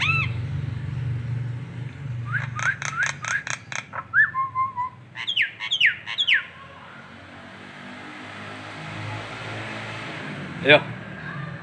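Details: Nias hill myna in local masteran training: rapid harsh repeated notes, a clear level whistle, then looping rising-and-falling whistles, with a low background hum.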